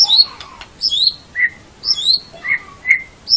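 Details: Caged white-rumped shama song meant as training material for morning or evening sessions, with paired high whistles dropping in pitch alternating with short mid-pitched whistled notes, repeated roughly every half second.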